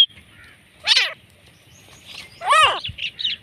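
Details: Desi black francolin from Pakistan gives two loud, rasping, arched call notes a second and a half apart, followed by softer high chirps.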